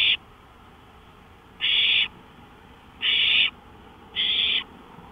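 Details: Owl calling on a porch at 1:53 AM on May 5, 2013: three loud, raspy hissing bursts, each about half a second long, spaced roughly 1.3 seconds apart over a faint steady background hiss.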